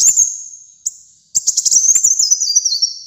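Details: Captive sunbird known locally as kolibri muncang singing: a thin sustained high whistle, a short pause, then a burst of fast rattling high notes running into a slightly falling, wavering trill.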